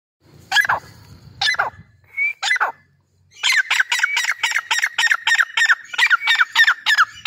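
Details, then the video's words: Grey francolin (dakhni teetar) calling: a few harsh, separated notes, then a fast run of loud, rasping, evenly spaced notes that repeat several times a second and continue to the end. "Dakhni Teetar Grey Francolin Voice"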